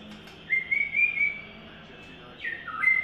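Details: White-rumped shama in third molt giving a song style called "Imagine": one long level whistled note broken into pulses, a pause, then a short falling whistle and a brief high note, over faint background hum.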